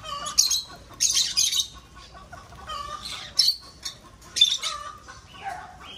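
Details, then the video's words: Several sharp, grating squawks come from breeding lovebirds in an aviary, in uneven bursts about a second apart, over a steady low twittering chatter. "Vẹt sinh sản lovebird"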